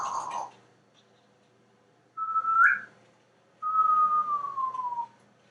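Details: Male pet African grey parrot, hatched 1997, living in a Texas home and practising imitated sound effects including a slide whistle; a brief note, then a rising whistled glide, then a long smooth whistle sliding downward.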